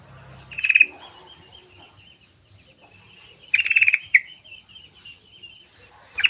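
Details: Sooty-headed bulbul singing vigorously, recorded as a lure to get reluctant bulbuls to sing: two short bursts of rapid, buzzy chattering notes, then a brief bright note. Faint twittering and low hum fill the gaps.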